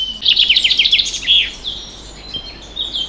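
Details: Common chaffinch singing during a nature group's walk through the moors of Locarn in Brittany, France: a fast, high descending trill of about eight notes ending in a short flourish, followed by fainter bird notes in the background.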